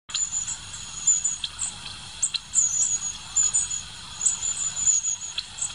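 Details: Long-tailed tit giving very high, thin, sibilant notes, short bursts repeated irregularly about forty times a minute, with a faint steady hiss underneath.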